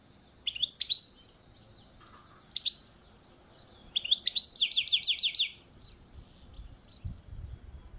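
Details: Short high twittering phrases from a European goldfinch on a balcony, broken by gaps, with one dense rapid trill midway; faint low background rumble and a soft lower note near the second phrase.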